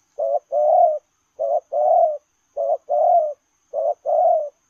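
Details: Running spotted dove repeating its lèo rồng coo four times in a steady rhythm, each a short hoot followed by a long, rounded coo, about every 1.2 seconds, with a quiet background.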